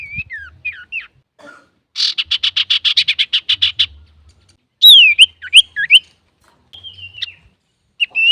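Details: Male common iora singing, used to lure other birds: slurred whistled notes, a rapid pulsing rattle of about twenty beats, then loud looping whistles and a short level whistle.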